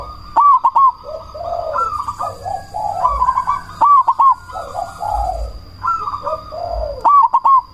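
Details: Zebra dove of the black cemani kind, calling to set off other doves and raise their breeding drive; crisp clipped triplet notes then rolling coos, repeated several times, overlapping with another dove, steady background hum.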